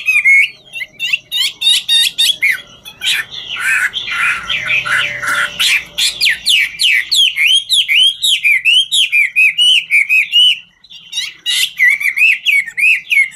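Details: Chinese hwamei in 'ngũ trường' song, dancing as it sings: a long, energetic outpouring of loud, clear whistles, harsh churrs and fast trills, then a steady string of sweet, looping slurred notes before a brief pause and renewed phrases.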